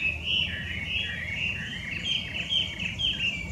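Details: Chinese hwamei, a noisy invasive wild bird from China found in Japan, sings a continuous flowing string of mellow whistled notes that rise and dip, with brighter accented notes near the end.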